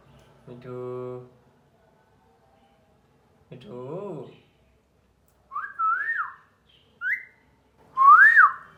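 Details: Talking cockatiel indoors: a low, buzzy speech-like phrase, a pause, another short spoken phrase, then three bright whistled notes rising and falling in arcs near the end, each under a second long.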